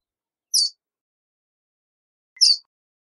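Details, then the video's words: Verdin calling with two brief, high, slightly buzzy chip notes nearly two seconds apart, with no other sounds. "Verdin Song! Verdin Call! Verdin Singing! Voice! - Baloncito Verdín Canto - Auriparus Flaviceps"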